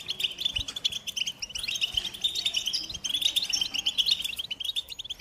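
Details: American goldfinch delivering a lively, unbroken stream of high twittered notes and trills, with slight rises and falls in pitch and soft knocks in the background.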